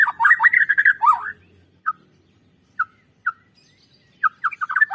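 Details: Song of a white-rumped shama, played to prompt birds into singing: a dense rushing warble for over a second, then isolated short whistled notes spaced apart, ending with a quick tumbling run of notes.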